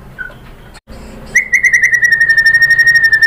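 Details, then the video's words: White-rumped shama song used to provoke other birds into singing: a brief soft note and pause, then a fast, even trill of pure whistled pulses, about four per second, holding a steady pitch. "PANCINGAN MURAI BATU bikin NYAUT BUNYI GACOR NGEPLONG BONGKAR ISIAN"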